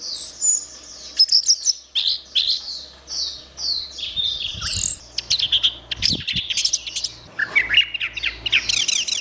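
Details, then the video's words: Orange-headed thrush singing in gacor style, a continuous run of varied high whistled and chattering phrases, some sharp downslurs and quick buzzy trills, phrases broken by brief pauses. "Suara Burung Anis Merah | Gacor"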